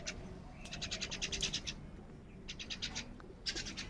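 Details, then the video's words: Crows squabbling over food in the morning, giving rapid runs of short, harsh, rasping notes in three quick bursts, fairly faint against a low rumbling background. "Many Crows Crowing Sounds and Crowing Noises in the Morning | Crow bird Fight for Food"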